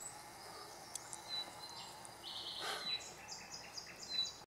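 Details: Eurasian Nuthatch at Ropotamo, Bulgaria, in April 2018, giving a quick high rattling trill, then a few sharp, thin, piping notes in short groups, faint over steady outdoor hiss.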